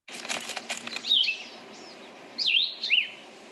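Cassin's Vireo singing short, burry, slurred phrases separated by pauses, like it's talking to itself, after a burst of rustling or flapping noise.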